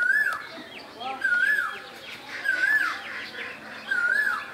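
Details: Asian koel (Bangladeshi kokil) calling in spring in Bangladesh: four clear, arched whistled notes, each rising then falling, repeated about every 1.3 seconds, over a background of other birds' chirps and a faint high hiss.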